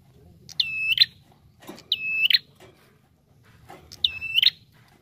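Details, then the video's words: Lure call of a lively Bar-winged prinia: three strong, high, flat whistled notes, each closing with a quick rising flick, spaced under two seconds apart, with soft low rumble beneath. "SUARA PIKAT Burung Prenjak Tamu Gacor"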